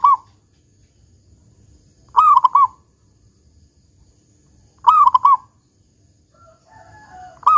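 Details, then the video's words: Local zebra dove singing big 'kung' phrases as a lure to set other doves singing: bubbly trilled coos repeated about every two and a half seconds, with a faint thin chirping from another bird near the end. "Perkutut Lokal GACOR Suara Kung Besar Pancingan Burung Perkutut Agar Bunyi"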